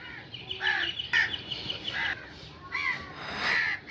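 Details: Crow giving harsh, nasal caws, several calls overlapping and varying in pitch, with an abrupt cut near the one-second mark and a faint background hiss.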